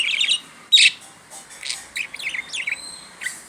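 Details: Pet budgerigar talking, a run of rapid chattering, warbled syllables and short bright chirps, with faint background noise.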